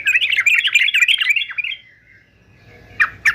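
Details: Fighter male yellow-vented bulbul used for singing training, pouring out a fast chattering warble for a second and a half, then going quiet before two sharp upward-swept notes close the phrase.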